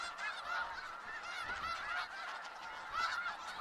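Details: Massed snow geese in Skagit Valley give a continuous wall of nasal honking, individual yelps popping out of the steady flock noise.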